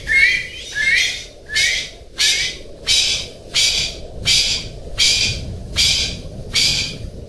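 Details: Golden pheasant in a rhythmic series of about ten rough, hoarse calls, regularly spaced under a second apart, the first few with a rising squeal at the start, over a steady low noise.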